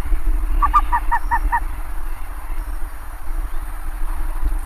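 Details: Bare-faced ibis giving a quick run of about six nasal, honking notes in just over a second, each note harmonic-rich and slightly buzzy, over a steady low rumble.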